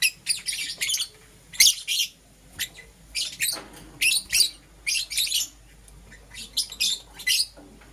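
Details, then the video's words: Pet lovebirds of green opaline and lutino colouring, heard in the morning, giving sharp, shrill chirps in short bunched bursts separated by brief pauses, fairly steady over several seconds. "Lovebird Chirping Sounds - Euwing Green Opaline & Lutino"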